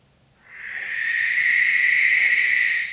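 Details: Barn owl (Tyto alba) gives one long, harsh, hissing screech that swells over half a second and holds steady for over two seconds, with no other sounds.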